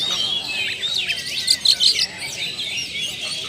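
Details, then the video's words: Oriental magpie-robin song played to prompt other birds to reveal their mimicry: a blurred stream of high whistles and chirps, louder briefly in the middle, over a faint hiss. "PANCINGAN SUARA BURUNG KACER ,BONGKAR ISIAN"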